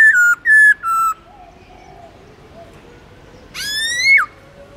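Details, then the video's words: Black-throated laughingthrush (Garrulax chinensis) singing a long forest-style song used to spur wild-caught birds to sing: three loud, fluty whistles, each a little lower than the last, then a pause and one long whistle that rises and drops sharply. "Khướu Bạc Má Hót Giọng Rừng LUYẾN DÀI HAY"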